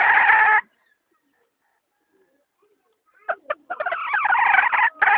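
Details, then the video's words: Domestic hen with one short, rough, harmonic cry, a few seconds of quiet, then a rapid string of broken, grating calls that rise into a sustained harsh outburst. "Suab poj qaib seev zoo heev"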